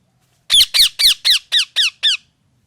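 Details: Parrot chirping: a run of seven loud, grating, downward-sliding screeches, evenly spaced about a quarter second apart and fading slightly toward the end.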